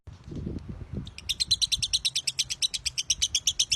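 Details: Lovebird of the Broty line, used as a master bird for tutoring, launching after a few low knocks into an even, rapid series of high sharp chirps, about six per second.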